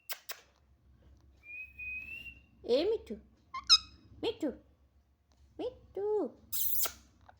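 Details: Talkative pet parrot mimicking human words indoors: a long steady whistle, then several short throaty word-like phrases with wavering pitch, and a burst of harsh hissy noise near the end.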